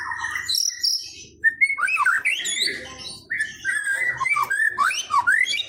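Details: White-rumped shama (murai batu pastol) song from Indonesia, played as a lure so a kept bird sings often. Rich, varied whistled phrases sliding up and down, some sharp rising notes and slurred warbles, delivered in quick bursts with short pauses and faint low hum.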